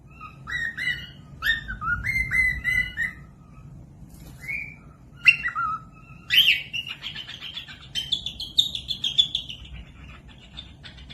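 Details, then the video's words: Cockatiels singing, used as a tutor recording for lazy or young birds to copy: series of clear whistled notes near one pitch with harmonics, short slurred phrases, then a rising, buzzier run of repeated notes toward the end. "Cocok buat pemasteran falk yang malas bunyi langsung nyaut pemasteran cockatiels"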